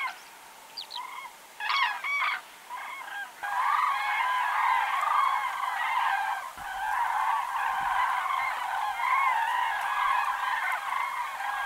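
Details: Common cranes in autumn: a few separate bugling notes at first, then a dense, continuous chorus of many trumpeting voices from a large flock.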